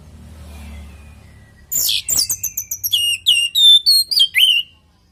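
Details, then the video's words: Orange-headed thrush song in a natural, lively singing style, used as a lure to make other birds answer: after a faint start comes a loud burst of rapid, high whistled notes that slide downward, then clear slurred whistles. "Pancingan burung anis merah|Agar nyaut Dan ikut ngeplong|"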